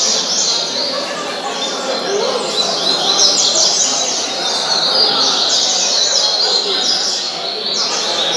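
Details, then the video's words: A novice caged Double-collared seedeater sings a fast, continuous run of high, bright twittering and buzzy notes, with a faint murmur of voices behind. "Coleiro dengoso"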